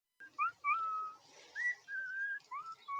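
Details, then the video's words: Pet cockatiel singing during rain: soft clear whistled phrases, a few short rising notes then long level and gently wavering whistles, with a faint background hiss. "My cocktiel bird loves rain"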